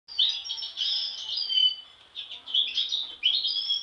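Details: European goldfinch, one of a group of sibling birds, giving bright, tinkling twitters in short bursts separated by brief pauses, with liquid trills and high chips.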